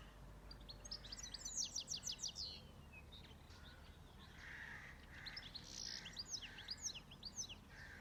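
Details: Farmland birds in peaceful surroundings: a rapid run of sharp, high descending chirps forms a trill, a pause with softer notes, then another lively trilled phrase, over low steady noise.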